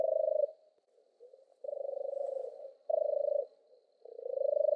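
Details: A European turtle dove gives long, rolling purr notes, one stretched over a second, others shorter, with a softer faint purr in between and quiet surroundings.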